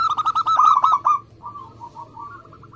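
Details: Brief phrase from a singing local zebra dove in Indonesia: a rapid run of rolling coos lasting just over a second, fading into soft, distant cooing notes.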